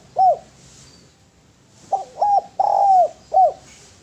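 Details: Spotted dove (derkuku) cooing melodiously: a short lone coo, then a full phrase of two quick coos, a long sustained coo and a clipped closing note.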